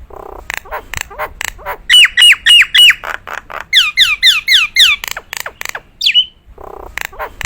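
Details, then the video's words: Nias hill myna kept as a prized singing bird, praised for a special voice: loud bursts of repeated whistled notes, each slurring down, then rising buzzy squawks, harsh noisy chatter, and a sharp upward whistle near the end. "burung jalak nias gacoran,suara istimewa"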